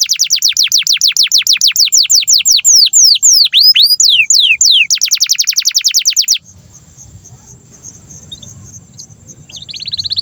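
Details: Long canary song meant as a master for young canaries and ones that have stopped singing: rapid series of high down-slurred whistles, varied swooping notes, then a fast rattling trill, followed by quiet background and a brief trill at the end.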